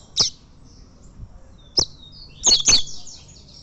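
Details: Champion fibra-tournament double-collared seedeater giving three spaced, sharp, very high notes followed by two quick bright doubled notes, over a quiet low background hum.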